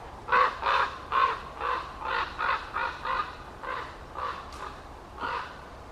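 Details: On a hot day, 12 August 2023, a common raven gives a rapid run of about a dozen harsh, hoarse croaks, about two each second, against a quiet outdoor background.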